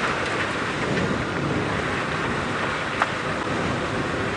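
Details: Steady hissing noise like rain, together with a vehicle rumble, fills the recording, and one brief knock sounds near the end.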